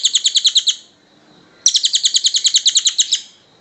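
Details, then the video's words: Kingfisher (tengek cililin) in a long tutoring recording for cage birds: a short burst of about eight bright, piercing chips, a pause, then a longer string of some fifteen rapid shrill notes. "Suara Burung tengek cililin panjang"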